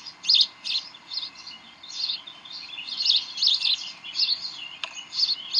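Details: Bald eagles at the Decorah nest, 18 May 2012, 7:45 pm, during tug of war and play: high, squeaky chirps come in bursts of rapid notes about every half second, with a faint steady hum behind them.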